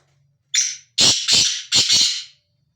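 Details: Free-roaming black francolin calling in quiet surroundings: a short harsh opening note followed by three loud, grating, buzzy phrases in quick succession, the whole call lasting under two seconds.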